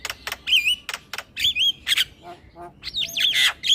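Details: Song of a male black-winged starling, meant as a lure for starlings: loud harsh squawks mixed with wavering whistled phrases and a few lower nasal notes, delivered in quick bursts.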